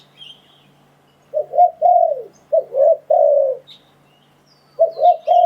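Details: Wild-dove lure recording of a spotted dove: a faint distant chirp, then soft coo-croo phrases ending in a long even coo, a pause, and a final burst of quick coos; faint high calls of other birds.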